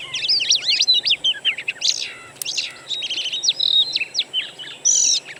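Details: Oriental magpie-robin lure recording of wild birdsong, played to prompt a kept bird to sing: fast, varied whistled phrases with sweeping and chattering notes, short pauses between bursts, steady high hiss behind.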